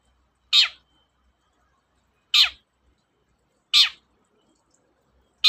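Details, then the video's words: Long-tailed shrike calls used to stir shrikes that will not sing: loud, grating downslurred squawks spaced about one and a half seconds apart, four in total. "BURUNG CENDET GACOR, PANCINGAN KHUSUS CENDET MALES BUNYI"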